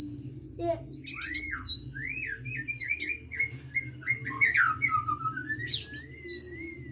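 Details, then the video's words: Vigorous hummingbird song: high sliding whistles and buzzes over a mid-pitched chattering series of rising slurred notes, with a low hum throughout. "KICAU BURUNG KOLIBRI GACOR"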